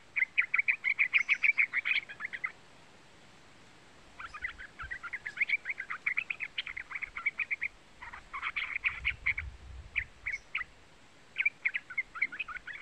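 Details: Young yellow-vented bulbul, a lure for getting a trucuk bird to sing, giving long runs of rapid, high, chattering chirps with two short pauses between bursts.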